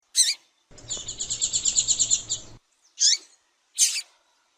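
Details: Female double-collared seedeater calling to excite the male: a sharp high chip, then a fast buzzy trill of even pulses lasting about two seconds, followed by two more separate sharp chips.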